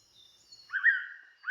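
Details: A Blue-winged Pitta, a wet-season breeding visitor resting on Koh Man-nai island, Rayong, Thailand, before moving inland, gives a loud, clear, slightly wavering whistle with a second whistle starting at the end; faint high chirps sound beforehand.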